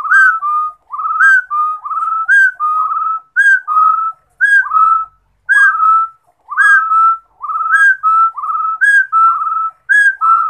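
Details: Rufous-throated partridge in sustained song: about eighteen whistled phrases over ten seconds, each a sharp upslur followed by a drawn-out even tone, delivered in a steady, almost continuous rhythm; clean, quiet setting.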